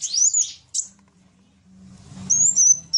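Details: Sunbird in a lively match of two kinds of sunbird: thin, high slurred whistles, a brief pause with soft low noise, then more sweeping squeaky notes.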